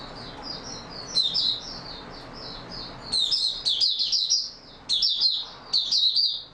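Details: Oriental white-eye singing steadily on 28 February 2022, opening with softer high warbled notes before louder, rapid clusters of thin, sharp twitters follow in quick bursts.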